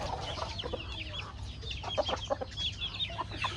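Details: Backyard farm chickens eating corn, giving soft repeated clucks and thin high peeps from many birds at once, fairly quiet and continuous.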